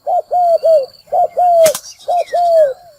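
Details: Spotted dove decoy call for luring wild doves into traps: low, hoarse coos in quick phrases of a short note, a long drawn note and another, repeated about once a second, with a sharp click and faint higher bird chirps.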